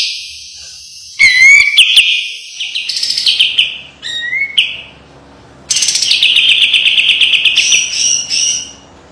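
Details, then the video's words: White-eye master song for training: sharp, fiery bursts of rapid high trills, rising slurred whistles and buzzy chatter, separated by short pauses. "SUARA KAPAS TEMBAK TAJAM DAN PEDAS‼️ SPESIALIS BESETAN RAPET PALING COCOK MASTERAN"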